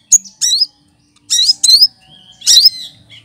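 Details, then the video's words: Leafbird (cucak kinoy) copying other birds' voices. It gives a crisp tick followed by upswept whistles, a long thin slurred note, and a final burst of rising chirps. "Burung Cucak Kinoy!!!Masteran Pintar Menirukan Suara Burung lain"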